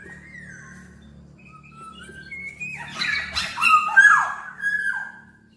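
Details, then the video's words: Black-naped oriole, a very vocal singer: soft whistled notes building into a loud harsh, downward-sweeping burst, then a steady whistle, over low background hum. "Burung Kepodang Super Gacor"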